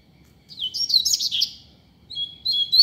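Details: Double-collared seedeater singing free in a street, a teacher bird: one rich, rapid phrase of high warbled and slurred whistles, a brief pause, then the start of another bright phrase.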